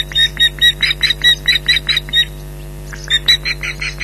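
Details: Ospreys at a nest at Loch Garten, July 15th 2011, shouting alarm calls at a persistent intruder, captured on a live nest camera: loud, harsh, rapidly repeated piercing yelps in two bursts with a short pause between, over a steady electrical hum.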